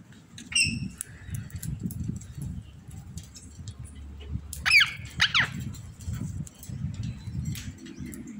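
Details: Indian ringneck parrot in an aviary giving a short harmonic squawk early, then two or three sharp, descending screeching notes midway, over low background rumble and rustling.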